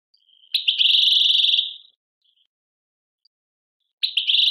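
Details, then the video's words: European goldfinch from Algeria singing in the Tadmait song style: a dense, buzzy, high trill held for over a second, then silence before another buzzy trill begins. "chardonneret chant tadmait"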